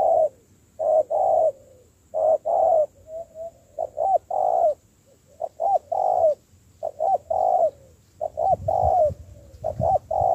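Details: Spotted dove, wild-caught and trained as a decoy, coos steadily in quick low paired and tripled notes, some softly rising, phrases following closely with a faint low rumble late on.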